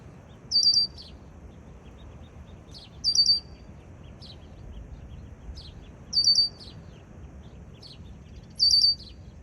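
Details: A red-winged blackbird calls in a backyard: four short, high phrases, each a quick cluster of sharp notes with a trailing buzz, about every two and a half seconds over soft background hiss.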